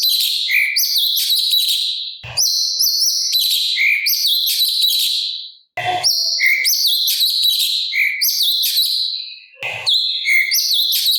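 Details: Master recording of an actively singing sooty-capped babbler with rough filler phrases, for tutoring birds like magpie-robins and green leafbirds. Long runs of piercing, rapid chattering and short whistles, broken by three brief pauses, with occasional low knocks.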